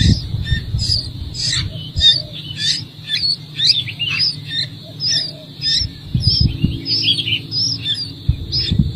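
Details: Nestlings calling while the mother bird feeds them in the nest: repeated short chirping and squawking notes in quick bursts, high and scratchy, with some low bumping noise and a faint voice.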